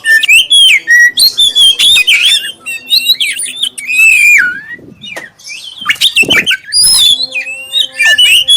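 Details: Oriental magpie-robin, black-breasted form, singing a clear-voiced lure song to set off others: dense run of sharp chirps and slurred whistles, squawky accents, a brief quieter stretch before fast varied phrases resume.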